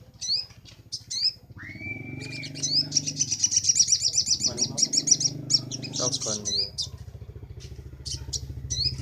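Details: Sunbird on a master recording for training birds: sharp chirps and a short whistled note, then a fast high trill in the 'nembak' style, with a constant low hum underneath.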